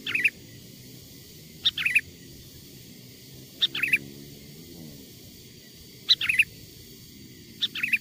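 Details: Sooty-headed bulbul, recorded from wild birds, used as a lure call to draw wild bulbuls closer: short bright chirpy phrases of two or three quick notes, given at irregular intervals of about one to two seconds over a low steady hum.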